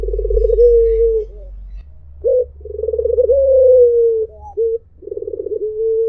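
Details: Melodious 'mpuk jeruuu' cooing of a white Barbary dove. A trembling, rolling coo settles into a long, level, gently falling tone. Brief abrupt 'mpuk' notes come between the drawn-out phrases, over a faint low rumble.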